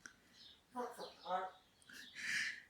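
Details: A pet African grey parrot, raised with cockatiels, gives speech-like chattering syllables then bright rising whistles in the background while cockatiel chicks are hand-fed indoors on a rainy day.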